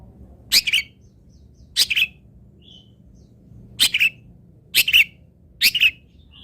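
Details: Long-tailed shrike song used to teach other birds: scattered harsh double notes, buzzy and slightly descending, separated by pauses of one to two seconds, with soft background hum.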